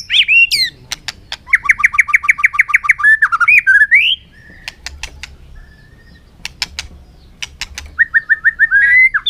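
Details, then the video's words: Afternoon fighting song from a white-rumped shama doing its búng cầu display: a fast series of about a dozen repeated rising notes, loud snapping clicks, a pause, then another rapid run of repeated notes. "chòe lửa căng lửa hót đấu siết nắng chiều"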